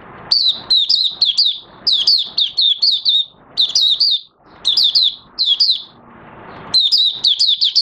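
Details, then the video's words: Oriental white-eye (Mata Puteh Raja) starting to sing on 30 August 2022, its new white feathers almost fully coloured after moulting; high, quick twittering phrases of rapid slurred chirps, in bursts separated by short pauses. "Mata Puteh Raja Buka Sing"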